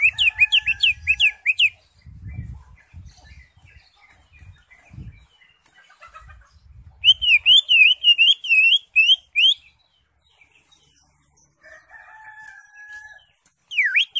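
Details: Greater green leafbird (cucak hijau) in crested 'ngentrok' song: repeated bright, slurred, wavering whistled notes in fast runs, a sustained whistle near the end and a rising note to close, with low thumping handling noise in between.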